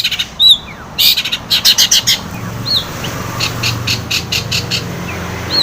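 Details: Long-tailed shrike song, used to provoke a quiet shrike to sing: bursts of harsh, rasping chatter mixed with a few thin rising whistles, set against low background hum.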